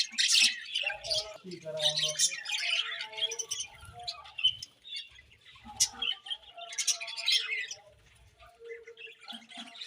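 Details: A group of budgies during their morning feed, giving sharp high chirps and scratchy warbles in uneven bursts, with quieter pauses and faint low rustling.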